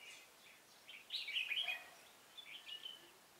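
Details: A single cheerful warbled phrase from a red-whiskered bulbul at a trapping site, 16 November 2017, rich and slurred, followed by a softer, shorter whistled fragment over faint background hiss.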